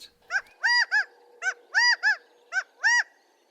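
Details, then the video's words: Gambel's quail, a common spring backyard bird in Arizona's deserts, gives loud, nasal four-note "chi-ca-GA-o" calls in quick groups, middle note strongest, about once a second over a faint hum; males call to attract females and warn rivals. "Gambel’s Quail give a loud, clear, four-note: “chi-ca-GA-o” that carries across desert washes and yards. Males often sing from"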